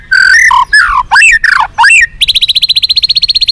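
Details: Song from a white-rumped shama, recorded as fighter material for captive birds: loud swooping slurred whistles, then a fast, even high trill of repeated notes to the end.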